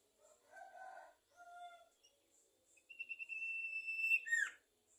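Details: Sumatran leafbird singing: low warbled phrases and a short clear whistle, then a rapid stuttering series running into a sustained high whistle closed by a falling slur.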